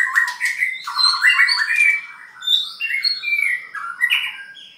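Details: White-rumped shama, halfway through molt, sings a continuous varied song of stepped whistled notes, rising slurs and buzzy trills, shifting between lower and very high notes.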